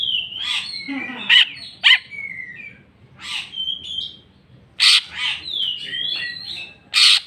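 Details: Greater green leafbird showing jamtrok style and repertoire phrases: bright whistled slurs mixed with sharp, loud harsh calls, several rising and falling twittering notes, and a closing rasp.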